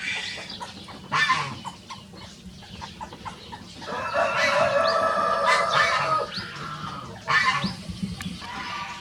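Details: Two free-ranging Rosecomb bantam show roosters crowing in a duet: a long, harsh, drawn-out crow of about three seconds in the middle, with shorter calls before and after, over steady outdoor background noise.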